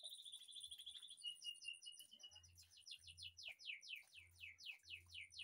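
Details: Caged white-rumped shama singing in an aviary behind a house: a sustained high whistled note, then a fast run of repeated descending slurred notes, steady series of bright downward strokes, over a faint low hum.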